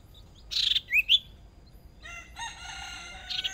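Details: Hwamei decoy bird in a small contest cage during its first sparring bout: a harsh rasping burst, then two clear upward-slurred whistles, followed by a steady layered droning call and a final scratchy burst.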